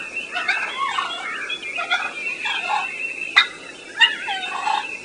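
Wild turkey giving soft, rolling, trilled purrs broken by a few sharp, single clucks about half a second apart; a faint background hiss underneath.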